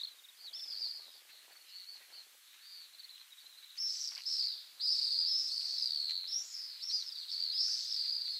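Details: Pacific swifts breeding in Mongolia, wild birds calling: thin high screeching trills, quieter at first, then louder, overlapping buzzy screams from about four seconds on, with light background noise.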